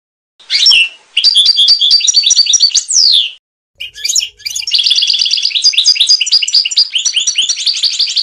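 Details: Goldfinch giving Trnan-style song, recorded for a 2020 CD: bursts of fast, bright twittering and chattering trills, a falling slurred note, a short pause, then a long, steady run of rapid tinkling, jingling phrases.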